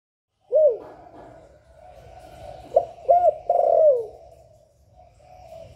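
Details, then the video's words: Spotted dove cooing in the Vietnamese 'hạp bổi' singing style, recorded for keepers to play to newly kept doves to stimulate them. Low, soft, hooting coos: one, then after a pause a quick pair and a longer falling coo, over faint background hum. "Tiếng Chim Cu Gáy Giọng Hạp Bổi"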